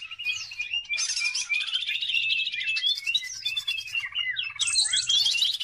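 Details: Greater green leafbird delivering a continuous, varied lure song for training other birds, made of buzzy rattles, twittering chirps and quick whistled slurs packed closely together.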